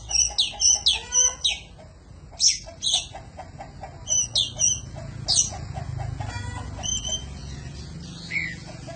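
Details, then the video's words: Energetic Oriental magpie-robin song used as a training recording for cage birds: rapid harsh, buzzy chattering notes in quick bursts, about two per second at first, with lower repeated ticking notes beneath and a thinner whistled phrase toward the end. "Suara panjingan masteran burung kacer gacor"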